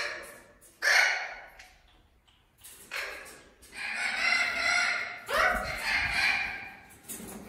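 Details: Young Spix's macaws, three to six months old, from the 2020 breeding season in a breeding centre kindergarten, give harsh grating squawks in several long bursts, some overlapping, with a rising start.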